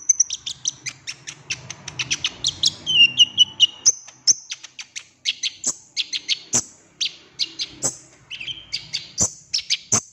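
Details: Golden-fronted leafbird singing a trigger song meant to make another bird sing freely and reveal its mimicry; dense run of high, clipped chirps with brief whistled slurs, delivered in quick irregular bursts with faint low background hum.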